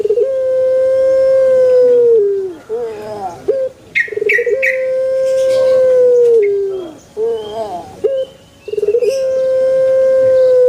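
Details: Repeated Pelung chicken crows: two long, sustained, melodious tones, each held about two seconds before sliding down, separated by stuttering, wavering notes, and a third crow beginning at the end.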